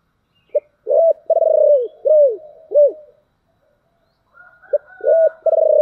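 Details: Decoy spotted dove with a deep 'thổ đặc' voice, calling to lure wild doves: a brief note, a full coo, a long pulsing coo and two arched coos, a pause, then the phrase starts again.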